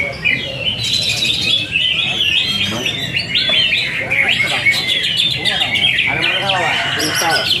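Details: Caged greater green leafbird, a competition bird and twice first-place winner, singing a busy warbling song of quick whistles and chattering notes, over heavy background noise.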